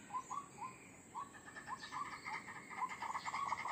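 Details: White-breasted waterhen call used as a lure to attract wild birds: short hoarse notes near one pitch, repeated about four times a second, growing louder and denser towards the end, over a steady background hiss.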